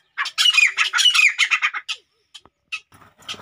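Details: Male grey francolin showing his power to a female with a burst of loud, rasping, slightly falling notes delivered quickly, then a few sparse, softer clicks and notes as the sequence fades.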